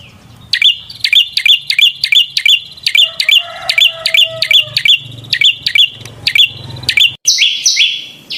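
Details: Singing prinia gives rapid, shrill, clipped chirps, roughly three per second, over a low humming background. A brief lower tone sounds midway, and a harsher, broader burst of notes closes the sequence.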